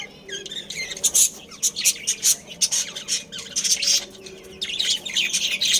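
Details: Budgerigar family in a breeding colony. Rapid, sharp chirps and buzzy squawks pile up almost without pause, with a few short whistled notes near the start.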